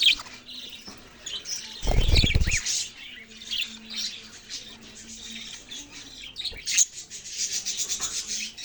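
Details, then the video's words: Budgerigars chattering steadily in scratchy warbled bursts, with a short loud low rumbling noise early on and louder dense chirping again near the end. "parrot sounds and chirping sounds"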